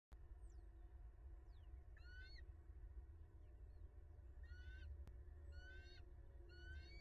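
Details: Bald eagle at a nest in Southwest Florida, filmed by a live nest camera on 20 January 2022 in the early afternoon; bursts of high, thin, stuttering harmonic notes come in short chattering series, over a steady low rumble.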